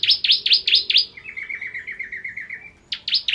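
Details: Ciblek kristal (bar-winged prinia) in full ngentrok song: loud, sharp, downslurred high chips, then a softer rapid trill of about a dozen even notes, then the loud chips resume.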